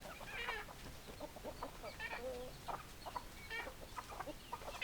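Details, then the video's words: Hens in a flock clucking, with overlapping short clucks and squawky calls packed densely throughout, a few louder drawn-out cackles standing out, over steady low background noise. "Chicken Sounds Noises Hens Clucking Roosters Crowing"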